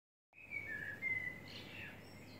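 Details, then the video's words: Birds singing in the early morning in Sheffield, United Kingdom: a thin whistled note held near one pitch, then a higher, softer slurred phrase, over steady low background hum. "Birds Singing in the early morning"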